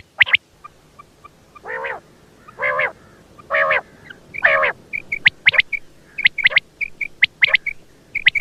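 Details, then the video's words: Quail calls: nasal harmonic bursts spaced about a second apart, followed by a busy run of sharp, high, clipped notes and pairs of tiny whistled dots. "Batair ki awaz quail Sound"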